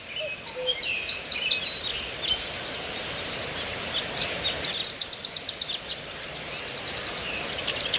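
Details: Among trees and plants, birds give sputtering high chirps and then a fast, evenly pulsed trill, followed by further thin trilled notes over a noticeable background hiss.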